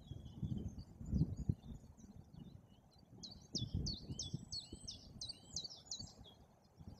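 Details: White-tailed eagles at a nest in Bory Tucholskie, Poland, during the breeding season while a chick hatches and the parents stay alert; a run of sharp, high, down-hooked yelping notes repeats quickly for about two seconds over low rustling and knocking at the nest.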